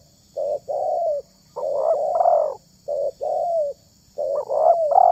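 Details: Spotted dove coo with low, mellow hooting notes grouped into phrases: short paired coos followed by a longer, rolling, slightly rising coo, repeated twice over five seconds, with a faint steady high-pitched whine behind it.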